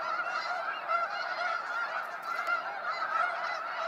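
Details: At Sacramento National Wildlife Refuge, snow geese flying out at sunset give a constant clamour of high nasal honks, countless birds calling at once.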